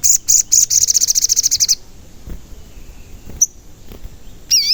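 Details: Crimson sunbird song used as a lure to make other sunbirds sing and grow agitated. A fast, high, ringing trill of about twenty quick notes runs for almost two seconds, then a single sharp chip and a brief wavering whistle after a quiet stretch.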